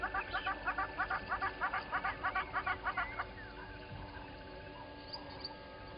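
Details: From a live camera over Gowrie dam, Djuma Game Reserve, South Africa, 10/08/20: little grebes give a rapid pulsed trill for about three seconds, which then stops, leaving quiet background with faint distant chirps.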